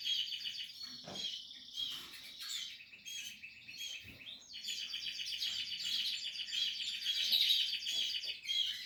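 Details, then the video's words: Nesting canary chicks, Portuguese harlequin, calling in a nearly continuous high raspy chorus of overlapping squeaks, with a few soft knocks in the background. "canary chicks"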